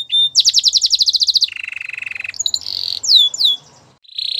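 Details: Belgian canary pouring out a rapid high staccato trill, then a lower buzzy roll, followed by mixed higher buzzes, two clear descending whistles and a closing short roll.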